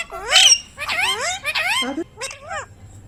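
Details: Pet ringneck parrot talking: a few high, harmonic word-like phrases with rising and falling bends, loud at first and then quieter, in a quiet setting.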